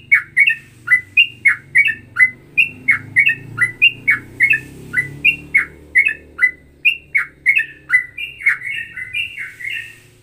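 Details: Ropelan, a bulbul described as a cross like straw-headed bulbul and sooty-headed bulbul (trucukan), singing a fast run of short bright chirping notes, about two to three each second, steady for ten seconds, with low hum behind.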